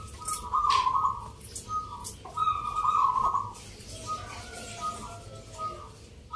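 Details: Competing local zebra doves at a Jogjakarta song-rhythm contest, Nglagu Ngepat Mentaraman style, Sunday 19 November. Two strong trilled coo phrases, then fainter overlapping coos from other birds amid crowd murmur.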